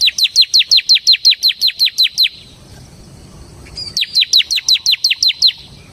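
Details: Bar-winged prinia, a ciblek semi in full continuous 'ngebren' song: a rapid series of about eleven sharp, high, downslurred chip notes, a short pause, then another run of about nine matching notes.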